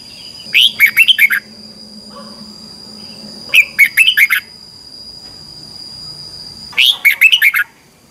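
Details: Morning competitive song of a red-whiskered bulbul, 'ché' style, used as lure sound to stimulate birds: three quick phrases of sharp whistled chirps separated by pauses of about two seconds, with a constant thin high tone behind.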